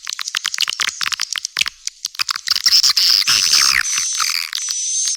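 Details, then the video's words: Swiftlet calling sound used to attract young swiftlets: rapid high-pitched chirps and clicks, several per second, running into dense buzzy twittering trills in the second half. The sound is thin, with no low tones. "SUARA PANGGIL WALET - PEMUTUS LINTASAN ANAKAN"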